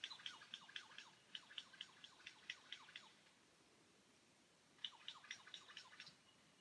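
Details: Lyrebird in the Cathedral Ranges on a Sunday morning near a campsite, singing 'Song A' of traditional cadence, once thought to mimic camera shutters: two bursts of rapid sharp clicking notes, about two per second, over soft stream hiss.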